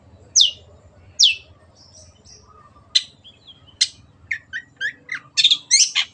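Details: Long-tailed shrike, a kept songbird singing clearly: two sharp downward notes, then clicks and a rapid burst of varied chirps and squeaky phrases, over low steady hum.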